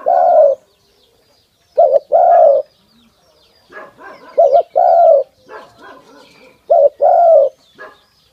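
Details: A pet male dove, fed and handled by its owner and said to sing whenever the owner comes to him, gives soft, low hooting coos in pairs, a short note then a longer one, repeating every few seconds, with faint chirps between.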